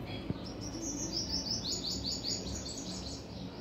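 A cockatiel gives a quick run of thin, high chirps over a low background hum.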